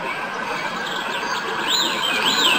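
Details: European goldfinch singing: a few clear whistled notes that sweep up and down, the last two forming looping high glides, over a steady background hiss.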